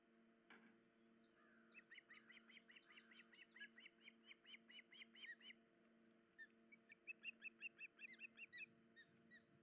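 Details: At a nest where the injured female osprey cannot feed her chicks, an opening knock, a few higher downslurred whistles, then rapid strings of piercing chirped whistles, two series, with a steady low hum beneath.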